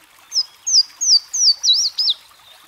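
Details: A Louisiana waterthrush delivers its song: a series of about six ringing, high whistled notes, each sliding downward, evenly spaced and ending with a sharp drop.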